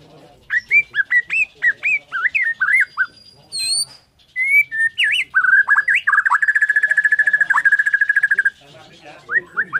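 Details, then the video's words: White-rumped shama, Borneo type, singing in the morning: varied ringing whistled phrases, then a sustained fast even trill lasting about three seconds before whistling resumes. "KICAUAN MURAI BORNEO PAGI BIKIN MURAI MANAPUN SEKETIKA TERPANCING IKUT BUNYI"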